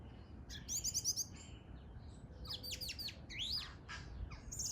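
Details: A bird singing: quick bursts of high, thin chirps and trills, some sharply rising and falling slurred whistles, with brief pauses between phrases and a soft background hiss.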